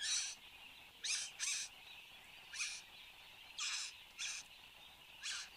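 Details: Satin bowerbird displaying at its bower, Australia, morning of 10 January 2015, filmed by a fixed camera: seven scattered harsh, hissing bursts, some given in quick pairs, separated by short quiet gaps filled with a soft background hum.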